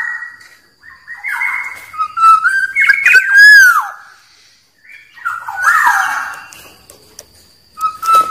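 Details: Black-naped oriole in the wild, singing to challenge rivals; flutey whistled notes rise and fall, a clear downward-sweeping whistle stands out, and a second wavering phrase follows after a short pause.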